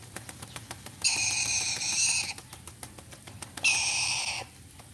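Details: Pet chattering lory calling during a bath: two long, loud, grating screeches, the first over a second long and the second shorter, over faint water clicks and low hum.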